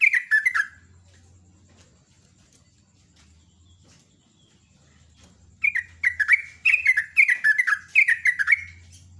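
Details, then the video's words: Sooty-headed bulbul giving loud, busy morning song in the rapid 'gacor ropel nguklik' style: bursts of bubbly, warbled notes dipping from high to lower pitch. A quiet pause of several seconds falls between the opening burst and a longer run of phrases. "BURUNG TRUCUK GACOR ROPEL NGUKLIK"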